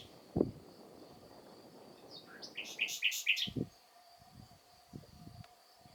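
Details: Spring song of a Common nightingale: a quick run of rising notes leading into loud, rapidly repeated clear notes, with a few low thumps and a faint steady high tone behind.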